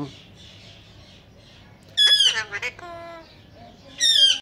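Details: Pet ringneck parrot that talks words like Kon Aya and Mitthu Bete: after two quiet seconds, a loud harmonic squawk-phrase with stuttering syllables, then a high shrill note near the end.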